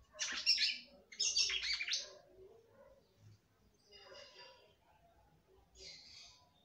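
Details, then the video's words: Kept female red-cowled cardinal singing to stimulate the male: two loud, scratchy twittering phrases, then softer, fainter chirps trailing off. "FÊMEA DE GALO DE CAMPINA CANTANDO MUITO PRA FOGUEAR SEU CAMPINA."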